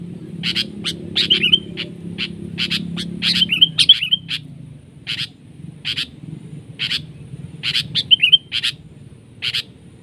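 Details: Sooty-headed bulbul fighting a decoy during trapping; rapid run of sharp broadband clicks and flutters with a few short whistled notes mixed in, continuing throughout.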